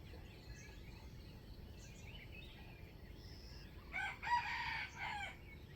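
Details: Standard crowing of a wild chicken kept for trapping, dated 05/07/2025: a single hoarse, harmonic crow of about one and a half seconds rises out of steady background hiss near the end, with faint scattered bird chirps earlier.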